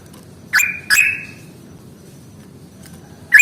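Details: Yellow-vented bulbul in fighting-style ngalas song, used as a lure for birds slow to sing: two sharp notes, each a crack sliding into a brief level whistle, then a faint note and a third after a pause.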